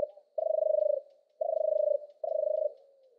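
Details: European turtle dove (Streptopelia turtur), song.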